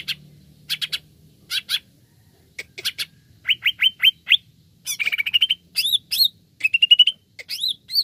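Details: Greater green leafbird song as a lure for other birds: harsh chattering bursts, then a run of five clear rising whistles, followed by hooked whistles and fast trills, lively and varied.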